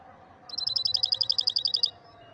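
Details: Moroccan maestro European goldfinch producing one crisp, evenly spaced trill of roughly fourteen high pulses lasting just over a second, over a soft low background rumble.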